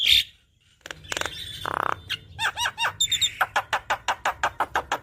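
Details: Energetic Javan myna song full of varied phrases, used to stimulate a bird that is reluctant to sing. A harsh rasping burst, then looping slurred whistles, then a fast even series of sharp clicking notes.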